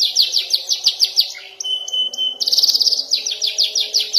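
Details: A young canary practises long rolls and sharp bursts, with a fast buzzy trill, a pause filled by a level whistle and soft pips, then a renewed rapid trill.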